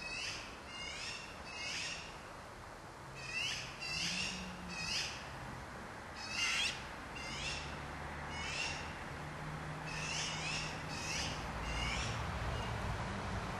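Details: Black-billed Magpies, a crow-family species, calling out in scratchy, rasping notes given singly and in quick pairs, somewhat quieter and more distant, over a low droning hum in the background.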